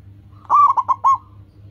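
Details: Zebra dove (perkutut), a local bird with a strong, clear voice, used as a training lure for other perkutut. A single phrase: one sustained soft coo, then three short bubbling notes.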